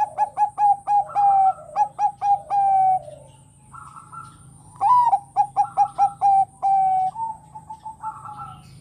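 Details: Zebra dove of Bangkok type, in full song and said to excite other doves into singing: bursts of rapid staccato coos, each ending in a drawn-out purring note, repeated in clear bouts over a faint steady hum.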